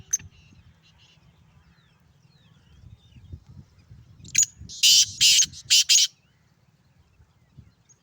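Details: Sindhi black francolin male calling: after quiet low rumble, a loud burst of four or five harsh, rasping broadband notes in quick succession lasting under two seconds, then silence again.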